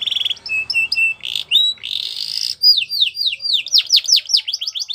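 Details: Canary champion song used for training young birds: fast rapid trills and sharp repeated chips, then a buzzy sustained passage and a series of quick descending whistled sweeps, all high-pitched and continuous.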